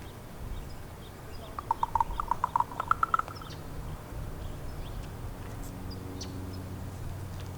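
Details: A female common raven calling to communicate with her mate gives about nine hollow knocking notes in three quick clusters, each cluster slightly higher, over a low background rumble.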